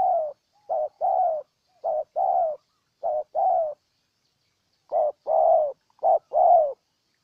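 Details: Spotted dove of Ninh Thuận, Vietnam: clear, mellow coos in twinned short and drawn-out notes, several pairs in a row, a pause of about a second midway, then more pairs, over a quiet background.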